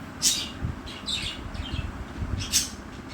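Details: Two pet budgerigars giving short, sharp, high chirps, three bursts within a few seconds, some slightly warbled, over a steady low rumbling background noise.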